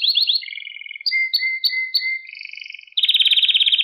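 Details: Canary song meant for training young pet canaries to sing: quick rising notes, then evenly repeated chirps, a steady buzzy tour and a loud rapid trill at the end.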